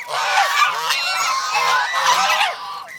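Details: Domestic geese from an over-protective flock in the Philippines produce a sustained, blaring chorus of nasal honks with no silence.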